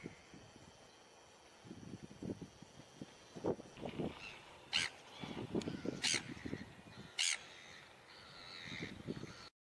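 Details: Red-billed gulls (Chroicocephalus novaehollandiae scopulinus) at Peninsula Beach Road, Port Chalmers, New Zealand, on 5 December 2019: harsh, grating squawks in irregular bursts, several overlapping, with a few sharp higher cries; faint background rumble.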